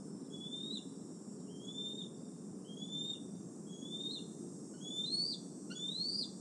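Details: Decorah male bald eagle perching near nest N1 on an August evening, 2020; drawn-out whistled notes sliding upward, roughly one per second, growing louder and higher toward the end, quiet low hum beneath.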